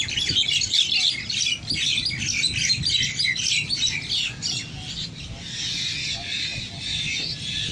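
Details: Bulbuls in a fight; loud, harsh, scratchy squawks pour out rapidly and irregularly for several seconds, with a brief dip before a dense buzzy stretch, and faint low background noise.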